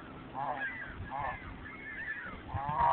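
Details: A big wild goose at a park lake in Edmonton, still holding ice and snow, is very vocal. It gives four nasal honks roughly every second, the last loudest, over low background rumble.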